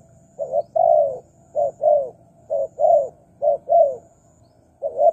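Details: Spotted dove lure call for attracting wild doves: soft, low coos in short-long pairs, repeated irregularly about once a second, with light background rumble.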